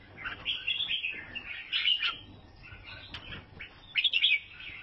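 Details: Albino sooty-headed bulbul, Vietnam, with a soft rambling twitter rising into brighter, sharper chirps in the final second.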